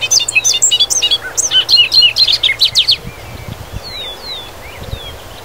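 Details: In fields of Wisconsin, a Bobolink pours out a tumbling series of gurgling, bubbling notes for about three seconds, followed by a few slurred descending whistles and quiet background rumble.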